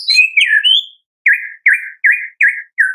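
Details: Energetic song of a Medan-type white-rumped shama: a slurred high whistle glides down, then five short, buzzy, downward-hooked notes repeat about every third of a second.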